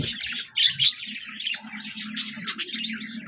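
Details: Budgerigars chattering on 26 January 2024 give bright, rapid chirps and squeaky warbles in an unbroken stream, with a faint low hum behind.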